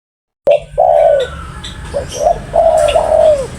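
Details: Spotted dove giving a loud cooing phrase: short soft coos then longer drawn-out, slightly falling coos, with faint chirps of other small birds in the background.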